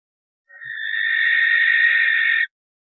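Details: A single drawn-out rasping scream from a common barn owl, lasting roughly two seconds. It is noisy and hoarse, with a steady pitch, and stops abruptly. No other sounds are heard.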